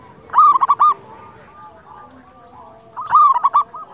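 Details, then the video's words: Zebra dove, local wild bird, song for luring and training captive doves. Two loud rolling phrases of four quick, ringing coos are heard, one early and one near the end, with quieter cooing doves between them. "Masteran pancingan perkutut lokal alam suara istimewa besar"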